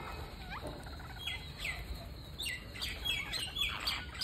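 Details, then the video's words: Parakeet calling while being fed: a burst of squeaky, chirping and rasping notes that grows busier and louder toward the end, over a faint steady hum. "Parakeet Feeding"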